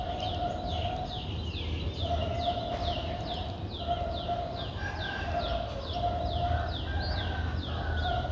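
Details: Streak-eared Bulbul young, nine days old, recorded 11 April 2023 in Ubon Ratchathani, Thailand: a rapid series of sharp descending squeaky notes, sometimes overlapping, continuing throughout against a constant droning tone and low rumble.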